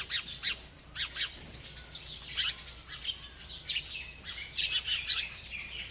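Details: A bird chirping while eating: bursts of high, sharp chirps come in clusters, some swept downward, with quiet pauses between groups.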